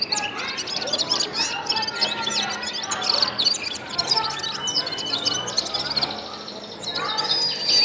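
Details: Singing gulsar bird giving a busy, high chirping and twittering warble without pause, with brief sharp notes scattered through it and a thin whistle near the end.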